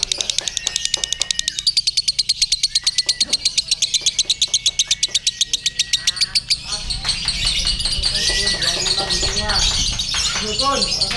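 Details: Contest lovebird on the pole with a shooting jockey, giving ngekek: a fast, steady trill of high sharp pulses for about six seconds, then fading into a loud mix of crowd noise and other birds.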